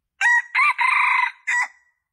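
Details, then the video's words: Crowing junglefowl, a lure meant to draw in males: four clear segments, two short opening bursts, an extended buzzy central note and a brief final syllable, loud against silence. "Suara Ayam Hutan Pikat Jantan Paling Ampuh"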